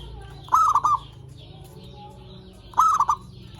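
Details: Zebra dove song for luring and encouraging other zebra doves to call: two evenly spaced cooing phrases, a rising note followed by short clipped coos, over a steady low hum.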